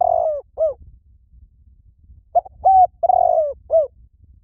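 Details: Spotted dove cooing as a lure: a drawn-out coo and a short clipped one, a pause of nearly two seconds, then a full phrase of short and long soft, hollow coos, over a faint low background hum.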